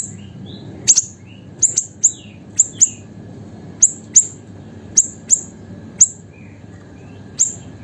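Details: Small, active siri-siri bird whose song serves as a master for teaching songbirds: steady, piercing high chirps, often doubled, spaced roughly every half second, with faint lower whistles gliding down between them.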